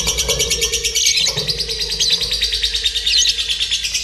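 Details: Training simulation of a lovebird singing competition: a wall of shrill, rapid chirping trills from several birds, pulsing steadily, with a faint low drone behind.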